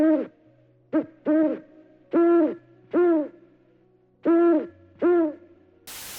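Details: Eurasian eagle-owl in Ukraine gives a run of seven rounded, moderately low hoots, each under half a second and spaced roughly a second apart, ending in a brief burst of noise.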